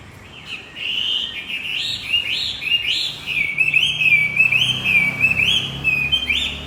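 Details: Energetic Javan white-eye lure song aimed at a silent male: a continuous chain of high, rising chirped notes repeated rapidly, growing louder, with faint low hum beneath.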